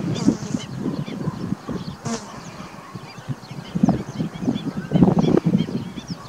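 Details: Ruddy shelduck calling: low, nasal honking notes in rapid, irregular bursts, loudest in clusters near the end, over a steady low rumbling background.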